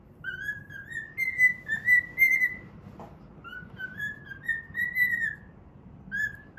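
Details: A pet cockatiel whistles a tune while playing, a melody based on the Pitagora Switch opening theme. About two notes per second, gently rising phrases, a faint knock, and a low room hum underneath.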